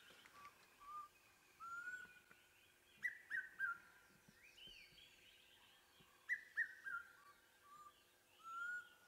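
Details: Around sunrise on 4 November 2016, an unseen Black Cuckoo calls from close overhead, giving mournful whistled phrases of three or four falling notes ("I'm so sad") every few seconds, while other birds whistle softly around it.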